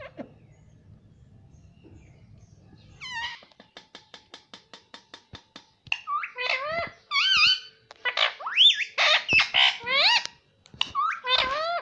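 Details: Pet talking parrot said to repeat "mummy"; a low hum fades into a quick run of about ten dry clicks, then loud, harmonic, rising-and-falling voiced syllables come in close bursts indoors.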